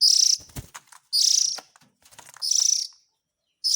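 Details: Oriental magpie-robin chick calls played as a lure to draw in adult birds: harsh, buzzy, high rasping bursts about half a second long, repeated roughly every 1.2 seconds, with faint clicks between them.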